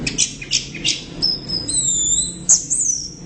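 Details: Orange-headed thrush singing loudly and steadily: a few quick high chirps, then long thin whistled notes sliding across the upper range, ending in sharp squeaky flicks. The background is quiet.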